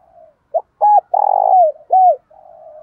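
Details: Decoy spotted dove with a local-style voice, calling to provoke wild males: soft hummed notes, a short clipped coo, then two loud arched coos around a long buzzy middle note, ending in a low trailing hum.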